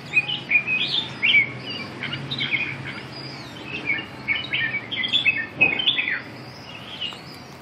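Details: Red-whiskered bulbul singing: bright, liquid whistled phrases in short bursts, rising and falling, repeated with brief pauses over a faint low hum.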